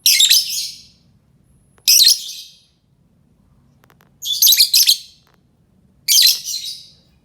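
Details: Lure call of a lovebird: four shrill, grating screech bursts, each under a second with stuttering pulses, repeated roughly every two seconds, against near silence and faint hum.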